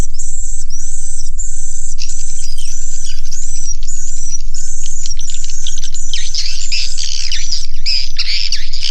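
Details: Many swiftlets calling in a swiftlet house, with harsh high chirps in short bursts, some downward-sweeping, growing denser and louder toward the end, over a steady low hum.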